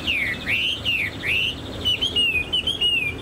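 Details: Loud song of a Chinese hwamei kept as a cage bird, tail fanned and posture upright: bold slurred whistles swooping up and down, then a quicker string of bright, higher whistled notes.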